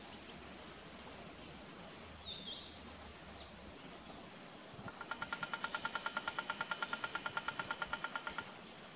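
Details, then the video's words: Speckled piculet drumming on bamboo to attract a mate or advertise a territory: after about five seconds of quiet, a rapid, even roll of dry taps runs about three and a half seconds. High thin whistles from other birds sound throughout. "Speckled Piculet Drumming on bamboo to Attracting a mate/Advertising a territory"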